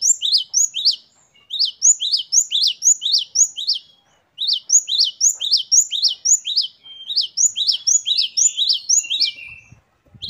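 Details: Great tit (gelatik batu) in lively song: long runs of clipped, upward-flicking notes about four per second, separated by short silences, ending in a drawn-out thin whistle.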